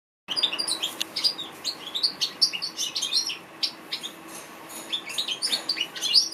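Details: African goldfinch singing a fast, varied, high twittering song of short chirps, trills and bright whistled notes, densely packed with brief pauses; a faint steady low hum underneath.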